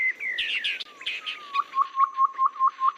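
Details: Babbler call played as a trapping lure: harsh buzzy chatter and a sliding downward whistle give way to evenly repeated short rising notes, roughly three per second.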